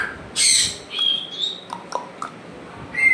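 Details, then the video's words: African grey parrot kept as a pet gives a harsh squawk, then a thin, level whistle, a few soft clicks and a final short whistle. "my african gray parrot sounds making"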